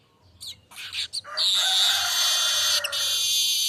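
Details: Unedited streaked weaver song: a few dry chattering notes swell into a prolonged, loud, high buzzing wheeze that holds steady to the end.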